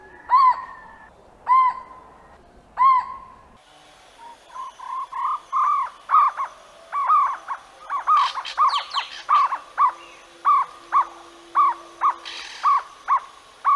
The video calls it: Jungle Owlet Call